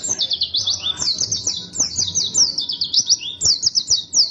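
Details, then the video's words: White-eye singing persistently and emotionally: rapid, high, squeaky chattering phrases sweeping down and up, delivered in dense runs with brief pauses, fast twittering throughout with faint low background noise. "Suara pleci gacor ngotot penuh emosi tembakan tembus"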